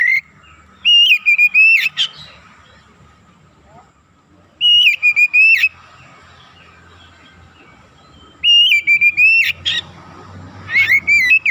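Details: Oriental magpie-robin singing heavily, offered as a lure to raise other magpie-robins' excitement: three loud whistled phrases, each a steady tone followed by short bright notes and a sharp upslur, about every four seconds, with low background hiss.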